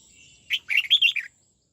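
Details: A red-whiskered bulbul under song training in the '89 xoắn tít' style gives one brisk phrase of five or six clear, rolling whistled notes lasting under a second, over a quiet background.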